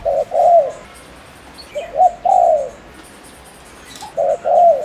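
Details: Decoy spotted dove from Ninh Thuận, Vietnam, cooing fast to rouse males; three phrases of clipped notes and a long gliding coo, with faint high background noise.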